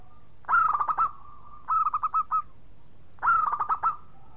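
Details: Zebra dove of local stock, singing steadily as a lure for reluctant birds; voice described as clear and loud. Three phrases: a loud rough-edged opening roll, a softer run of evenly spaced coos, then another strong rolling phrase.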